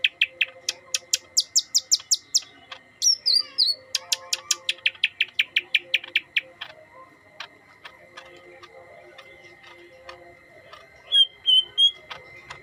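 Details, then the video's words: Yellow-headed green leafbird delivering long rapid series of sharp ticking chips, broken by a buzzy burst, with a few clear whistled notes near the end over a constant faint tone. "Merdunya suara burung Cucak Hijau kepala kuning"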